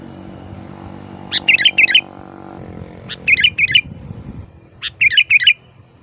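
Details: Sooty-headed bulbul lure song: three phrases, each a sharp note followed by two or three rolling warbles, spaced about one and a half to two seconds apart, over a noisy low rumble.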